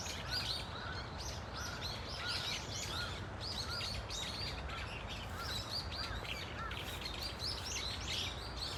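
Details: Varied calls from a Brown-eared Bulbul flock in Dunsan Grand Park: rhythmic high squeaky chirps mixed with lower, softer short notes repeated about every second, over a low hum.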